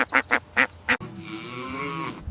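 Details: A small brown farm duck gives a quick series of five loud, nasal quacks in about one second.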